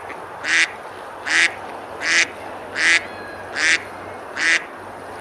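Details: Ducks feeding and splashing on the river at Besalú, Girona, Spain, on a nice summer day: six evenly spaced, rasping quacks, about one every 0.75 seconds, over steady water hiss.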